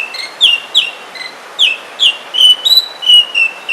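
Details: Oriental magpie-robin singing in forest: loud, clear whistled notes, several sliding sharply downward, given about every third of a second in a varied sequence, with a steady background hiss.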